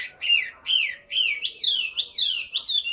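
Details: Chinese hwamei in a cage, a big tame bird noted for singing a great deal, repeating clear downslurred whistled notes about every half second in a rhythmic, ringing series.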